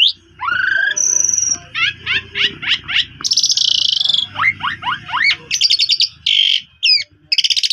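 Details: Song of the Asian pied starling, played to coax a silent starling into singing: rising whistles, a run of quick falling chirps, a loud buzzy rasp and rattles over low background hum.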